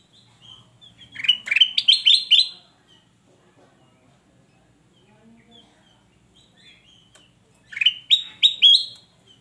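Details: Male ruby-throated bulbul giving two loud bursts of quick, bright, sweeping warbled notes about six seconds apart, with faint soft chirps in between.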